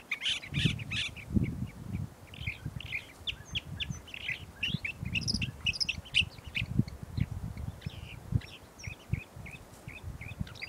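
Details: California thrasher singing in spring at Montana de Oro State Park, California: a continuous, jumbled run of varied chirps, squeaky notes and short harsh phrases, delivered rapidly without pause, over steady low rumbling wind-like noise.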